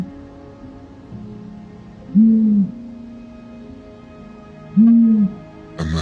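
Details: Male Long-eared Owl giving its gentle ooh call, a British owl: two soft, low, short hoots about two and a half seconds apart, with quiet music beneath.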